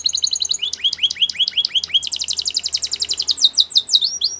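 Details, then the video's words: Belgian canary singing for training, champion bird: a run of slurred descending whistles, then a fast even trill and sweeping high notes, loud and continuous. "Canary Singing Champion For Training | Belgian Canary Song"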